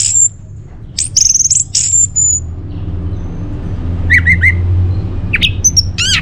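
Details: Orange-headed thrush (Geokichla citrina), played as a lure and tutor song for caged birds, sings bursts of high, thin whistles and sharp chirps with short pauses between, over a steady low rumble.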